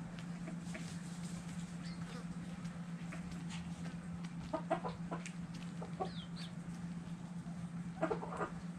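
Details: Dirt-bathing chickens and roosters give scattered short, abrupt clucks in small bunches, with brief scratchy rustles between and a constant low hum throughout.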